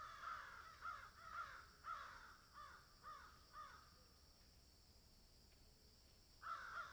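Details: Crows cawing in a field: a rapid series of about eight rasping caws over the first four seconds, a quiet pause, then one more loud caw near the end.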